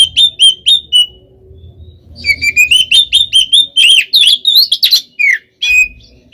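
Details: Fighting song of an oriental magpie-robin used to provoke other birds: a few clear whistled notes, then a fast, varied stream of sliding whistles and harsher chirps, with faint low background noise.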